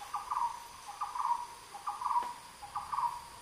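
Red-headed trogon giving four soft, mellow, low notes, each slightly wavering, spaced about a second apart over faint background hiss.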